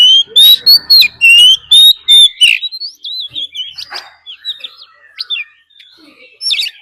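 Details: Oriental magpie-robin decoy in fighting song, mixed with a wild female's call: a burst of loud, rising whistled notes repeated rapidly, then a fainter twittering run of quick, scratchy warbles.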